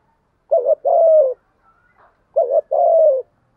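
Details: Spotted dove giving a 'thúc gù' urging coo to rouse wild doves. Two low phrases, a quavering short note then a long steady coo that drops at the end, separated by a quiet gap.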